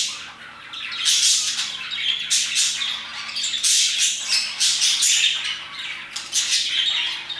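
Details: A flock of parakeets chirping and singing around 2pm: irregular bursts of raspy squawks and high chirps, several birds overlapping, quieter at the start before building.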